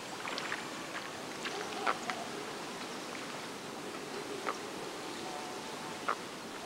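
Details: Andean coot at Lago San Pablo, a lake near Otavalo in Imbabura, Ecuador, giving three short, sharp, clipped notes spaced a few seconds apart over a steady background hiss.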